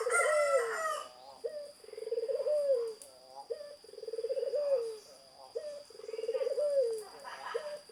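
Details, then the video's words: Zebra dove singing: low, rolling coos with a fast stuttering trill that rises and then falls, repeated about every two seconds. A rooster crows briefly at the start, and a steady high electronic whine runs throughout. "Burung Perkutut Gacor"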